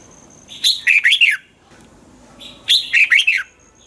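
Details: Two matching phrases from a caged red-whiskered bulbul, used to stir up other caged birds: each a quick run of four loud, liquid whistled notes, rising then falling, separated by about a second of quiet.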